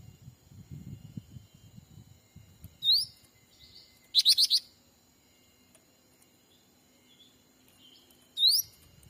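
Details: Sumatran forest bird-trapping lure of a black-capped bulbul: rising whistled sweeps near the start and end, a quick stuttering triple burst of chirps in between, soft low rumbling noise early on.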